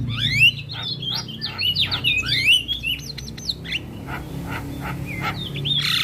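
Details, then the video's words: Black-winged myna song used as therapy to make a quiet bird respond: rapid chattering whistles and twisting slurred notes, dense at first and then sparser, with steady low background hum. "Pancingan Dan terapi Burung Jalak Kebo Malas Bunyi Sekali Putar Langsung Nyaut"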